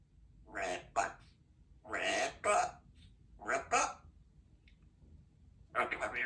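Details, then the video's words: Young female African grey parrot practising her words indoors: short, speech-like syllables in clusters of two or three, separated by brief pauses, quiet and breathy with no other clear sounds. "African Grey Parrot practising her words"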